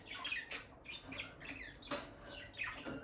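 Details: Bonded peach-faced lovebird couple near the nest box; quick sequence of shrill, slurred chirps and squeaky twitters, several notes sweeping down in pitch, close and clear.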